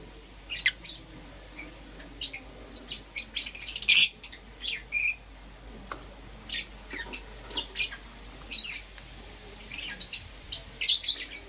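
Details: Lovebirds, Euwing green opaline and lutino, chirping in the morning: sharp high chirps and squeaky bursts, irregular, a few loud clusters, over a faint steady hum.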